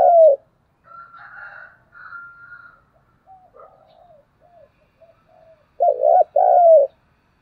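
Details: Lure spotted dove calling to stir wild doves. One strong coo opens, then softer murmuring notes, then a loud, throaty double coo and a long falling coo.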